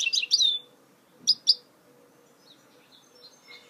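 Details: Song of a goldfinch mule (hybrid), 2018: a burst of sharp, high warbled notes with a falling whistle, two quick clipped chips, then soft faint twitters.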